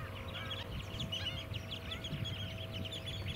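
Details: Many White-headed Stilts, also called Black-winged Stilts, calling together on Queensland mudflats at Scarborough in July: busy overlapping nasal yelps at varied pitches, with a constant low engine drone.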